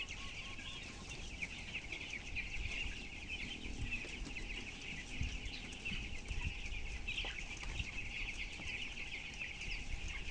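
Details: Broiler chickens, 12 days old and weighing 423 grams, in a closed-house shed holding 7,000 birds; a dense, continuous chorus of high peeping chicks over a strong low rumble of machinery, with scattered clicks and knocks.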